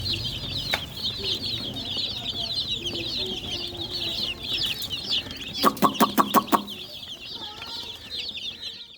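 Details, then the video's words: Young chickens keep up a steady stream of shrill, rapid peeps, about three a second, interrupted midway by a burst of five sharp knocking clicks before the chirping carries on. "MURGI CHICKS CHIRPING SOUNDS"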